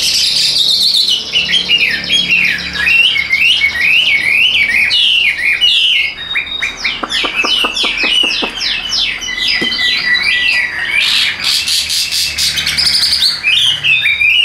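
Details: Long song of a tame caged Chinese hwamei, a bird that fans its tail in contests: zigzagging whistled phrases, a burst of rapid clicks midway, then fast, varied chattering notes.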